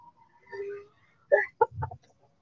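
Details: Chickens in a sunny backyard giving a quick run of short, clipped clucks, three or four abrupt pulses in close succession after a soft, drawn-out murmur.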